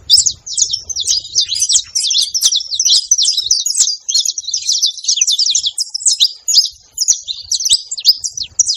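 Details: Farm saffron finches calling noisily as a group, a steady torrent of shrill, clipped chirps and rapid up-and-down twitters layered over each other, with a quiet background.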